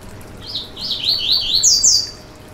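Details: Yellow-bellied seedeater singing to warm up a kept bird: a loud, clear phrase of connected slurred notes that steps upward and ends in two very high, bright whistles, with only faint hiss behind.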